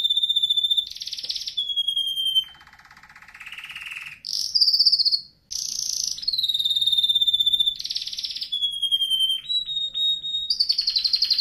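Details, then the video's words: Training song of a canary for young birds: steady high whistles alternate with dense buzzy bursts, a low rolling trill, and clipped repeated notes, each phrase lasting about one to two seconds. "canary singing video | the best canary training song 60 minutes"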